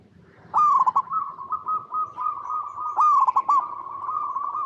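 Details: Perkutut, the zebra dove, cooing in its natural habitat for luring other doves: two loud bursts of quick, staccato, slightly falling coos, each trailing into a long run of softer even coo notes.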